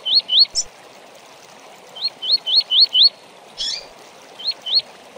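Double-collared seedeater giving clear, high, slurred 'tui' notes in quick runs of two to five, with a few buzzy higher notes between; faint background hiss.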